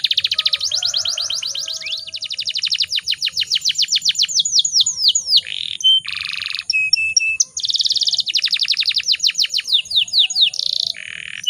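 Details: Female canary calling to provoke rival males into singing; rapid trills of steep descending notes repeated in fast runs, interspersed with buzzy rolls and short whistled notes, loud and continuous, with a faint low hum beneath.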